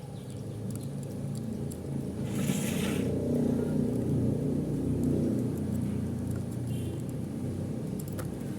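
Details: Deep engine rumble swells and fades throughout, with a brief hissing burst, and no animal call stands out.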